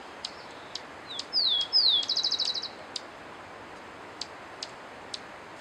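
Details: High-pitched song of a cinereous conebill, a pair of sliding, falling whistles running into a quick dry trill, set against background hiss and evenly spaced clicking ticks.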